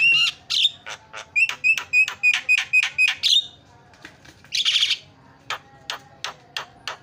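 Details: Javan myna in energetic song, used to get other mynas chattering: a burst of harsh, buzzy notes each ending in a short steady whistle, repeated rapidly, then a noisy rasp and a run of evenly spaced dry clicks.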